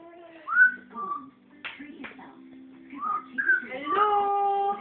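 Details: Orange-winged amazon parrot talking, mimicking words such as "Hello, family!"; a series of whistled, rising and falling tonal phrases with rich harmonics, speech-like syllables and a sustained nasal tone at the end.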